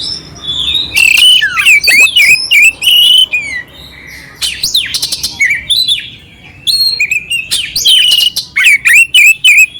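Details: Clear oriental magpie-robin song with rough filler, played to stir up a passive magpie-robin. Rapid bursts of sharp whistles, downward swoops and scratchy notes come in quick clusters, with a brief quieter pause midway.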